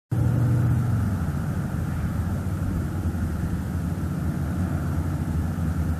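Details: Steady low rumble of wind or passing traffic, with a brief tonal hum near the start and no animal calls.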